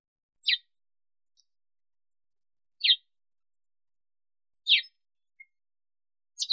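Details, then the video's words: Sparrow in Africa calling with single bright, falling chirps spaced about two seconds apart in otherwise quiet surroundings. "Воробей. Африка. Голоса птиц"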